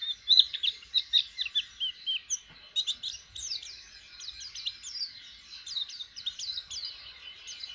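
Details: A white-eye of the type called jhonshon, learning to open its beak to sing, gives high, thin twittering. Quick chirps and slurred notes run almost nonstop, louder and more spaced early on, then a denser rapid chatter.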